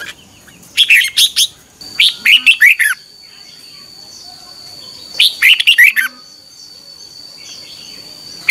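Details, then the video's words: Red-whiskered bulbul singing its morning song in 2021, recorded for training birds and luring: three bursts of rapid, liquid whistled notes, each under a second, separated by pauses, over a constant thin high tone. "Luyện chào mào hót sáng 2021 - QUÁ HAY KÍCH BỔI NHANH CĂNG LỬA"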